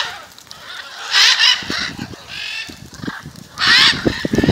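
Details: Macaws gathering in front of a house in Jaumave, Tamaulipas, February 2015: harsh, raucous squawks in loud bursts around one and a quarter and three and three-quarter seconds, with rough low thumps and rustling between calls.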